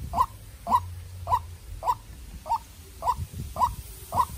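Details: White-breasted waterhen, a tame young decoy bird battling a wild one, repeats a short, slightly rising note about twice a second, eight times, with a low hum and rustling beneath.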